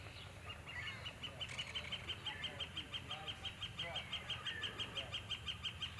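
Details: Bonaparte's gulls in non-breeding plumage foraging on small insects on the surface of Cayuga Lake, 7 April 2020, giving short, nasal, high-pitched calls about three a second over a low rumble of wind or water.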